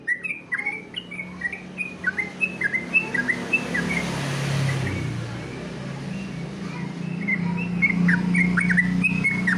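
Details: Sooty-headed bulbul competition song: quick chirped notes repeated several times a second early on, fading under a growing wash of rumbling traffic-like noise.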